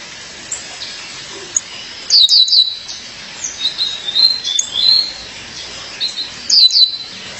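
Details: High, sweet descending chirps from a female Violaceous Euphonia calling to her mate, given in two bright bursts with a run of softer slurred notes between them over a quiet background.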